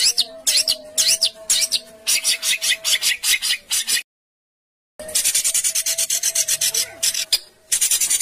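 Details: A songbird gives a coarse, rasping "besetan" tutor song for training cage and contest birds: rapid, raspy, scratchy dense buzzy bursts, with a steady low hum underneath and a brief silent break midway.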